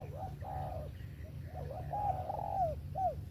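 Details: Spotted dove song in the 'về tàng kèm 123' style: a string of low, mellow cooing notes, some short and hooked, others drawn out and slightly falling, over a steady low rumble.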